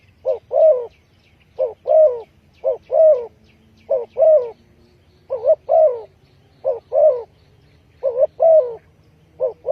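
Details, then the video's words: Spotted dove calling, used as a lure for trapping birds: low, hollow coos in short groups of two or three notes, each phrase repeated every second or so, with a faint low rumble behind. "Chim cu gáy chiêu kích mồi tập bổi nhanh nổi hiệu quả"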